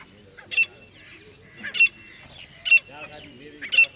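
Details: Grey francolin calling: four loud, harsh, shrill bursts spaced roughly a second apart, each short and scratchy, over a faint low murmur of other background sound.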